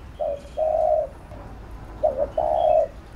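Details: Spotted dove giving urging coos used to stimulate and train a decoy bird: two low, hollow coo phrases, each a short note followed by a longer, steady one, about two seconds apart, with faint background chirps.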